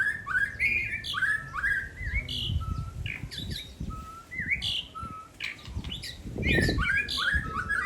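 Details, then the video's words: Two songbirds swap favourite competition phrases: bright upslurred whistles repeat in loose series, broken by short flat notes and sharp chips, with low background noise throughout. "Saling bongkar isian andalan perang kicau Hercules dan Cobra"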